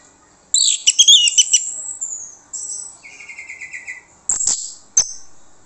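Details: Song of an Orange-headed thrush, used as a lure so others answer: a loud rattling scratchy phrase, then a long even trill, followed by two abrupt sharp bursts.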